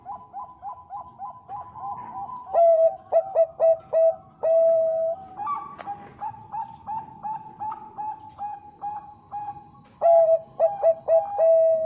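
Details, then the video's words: Zebra dove of the Bangkok type, female calling the male: several doves coo at once, with loud bursts of quick clipped notes and long held coos rising above steady softer cooing from others. "PERKUTUT BANGKOK GACOR SUARA JERNIH MENGUNDANG BUNYI"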